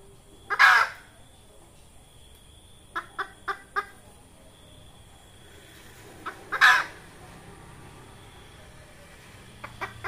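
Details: Red junglefowl hen giving a call used to lure junglefowl for trapping: a loud raspy squawk, four soft clucks, then another harsh squawk, with scattered faint clucks afterward.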